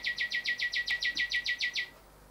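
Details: A male Rufous whistler sings at house windows, seemingly admiring his reflection as he usually does this time of year. He gives a rapid, even run of about a dozen bright, slightly buzzy notes, roughly six per second, for two seconds, then stops. Faint hiss.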